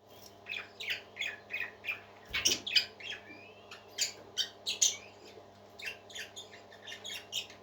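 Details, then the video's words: Pet parakeets chattering in a steady stream of short, buzzy chirps and scratchy squawks, one louder burst near the middle, over a faint low electrical hum indoors. "Happy Parakeets Singing"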